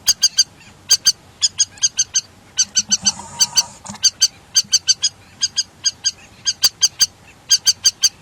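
River lapwing giving sharp, metallic notes in quick pairs and triplets, about thirty in eight seconds, loud and insistent, with a faint murmur behind.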